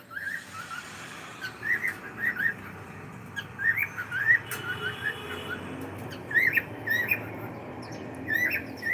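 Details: Pet cockatiel chirping indoors, short upslurred whistled notes in loose groups of two or three, spread irregularly across the recording over faint steady hum.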